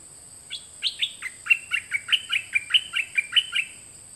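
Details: Song of a nok dok taeng, one of two birds recorded in 2020 for young birds to learn from: a steady series of crisp chirping notes, evenly spaced about four per second, each slurring downward, with a faint high hiss behind.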